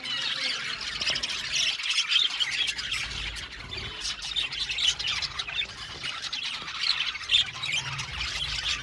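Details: Colony of Australian budgies in an aviary, many birds chattering at once: a dense, continuous wash of high chirps, warbles and squeaky notes with no pauses, occasional sharper squawks standing out.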